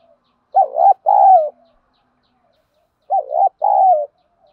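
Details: Spotted dove cooing in the wild 'field voice' style, used to stimulate trained birds: a pair of two-part coos, a bouncing note followed by a longer drawn-out one, repeated after a two-second pause, background quiet.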